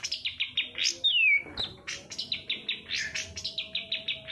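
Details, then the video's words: Long-tailed shrike lure song, played to make quiet or lazy shrikes start singing: rapid series of short high chirps, a clear whistle sliding downward near the middle, then more quick repeated chips. "suara panncingan cendet agar bunyi dan gacor"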